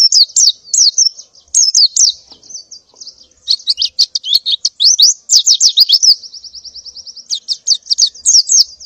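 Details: Female white-eye in breeding condition calling for males in the morning: rapid high chirps and descending slurred notes in bursts, with steady high trills between.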